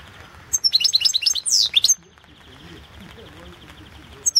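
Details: Goldfinch song entered in the 2016 internet World Championship in Goldfinch Song, Balkan form: quick run of high chirps building to a sweeping downslurred whistle and a buzzy note, then quiet.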